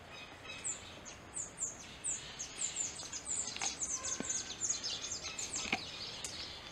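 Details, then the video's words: Burnished-buff tanager (Tangara cayana, saíra amarela) giving a steady run of thin, very high, downslurred chips, several each second, over a faint constant high hiss. "O canto da Saíra amarela"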